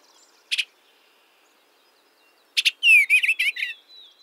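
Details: An Eastern Bluebird (Sialia sialis) gives a brief high chip, then stuttering, sparrow-like chit chatter running into soft, breathy, slurred musical churring notes, all high-pitched.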